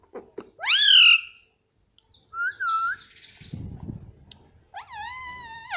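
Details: Indian ringneck parrot at home giving a loud rising harmonic call, a short wavering note, low rumbling noise, then a long steady tonal whistle.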